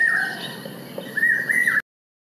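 Common hawk-cuckoo giving shrill, high whistled notes, one brief note and then a longer, slightly rising phrase, over a faint background hiss.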